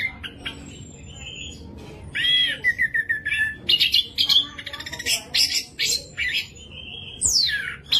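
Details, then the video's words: Orange-headed thrush, a Southeast Asian forest songbird, singing loudly and clearly to stimulate other thrushes: rich whistled phrases, repeated buzzy notes, chattering bursts and a falling sweep near the end. "ANIS MERAH GACOR VOLUME JERNIH BIKIN CEPAT EMOSI ANIS MERAH MACET"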